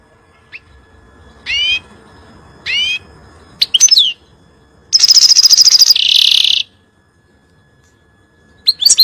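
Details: Song of a European goldfinch used to tutor fledglings: paired clear downslurred whistles, quick twittering notes, then a long loud buzzy trill running straight into a harsh rasping burst, ending in scattered high chirps after a silence.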